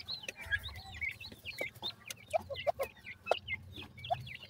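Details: Francolin (teetar) chicks, white, brown and mixed types together: a busy flock of thin high peeps and curling chirps, mixed with a few lower rounded notes and sharp ticking sounds.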